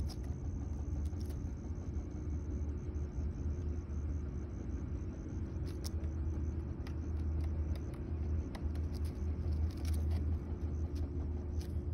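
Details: Steady low vehicle rumble and road noise outdoors, with a faint constant high tone and scattered clicks, no animal calls.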